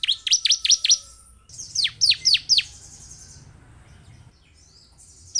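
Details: Bar-winged prinia, played as a lure to make caged birds sing. Two quick runs of shrill, falling chirps: five notes, then a four-note run. A brief high note closes the recording.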